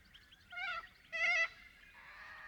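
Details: A little corella in Paroo-Darling National Park, NSW, in the Australian outback, gives two loud, wavering calls, each under half a second, rich and nasal, almost bleat-like, followed by a soft background hiss.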